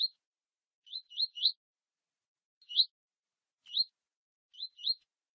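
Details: Double-collared seedeater warming up with a female before a contest, giving short rising high whistled notes, singly or in quick groups of two or three, separated by pauses of about a second, otherwise quiet.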